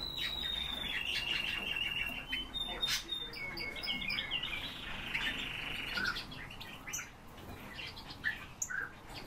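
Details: Eurasian bullfinches kept as the owner's birds, recorded at very close range: clear whistled notes sliding down in pitch, then a few short higher chirps and soft scattered clicks over a steady background hiss.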